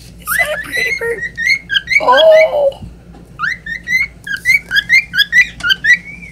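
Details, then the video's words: Pet cockatiel song of varied whistled phrases, some rising, some stepping, with a lower warbled passage midway before quick repeated upslurred whistles return. "cockatiel singing"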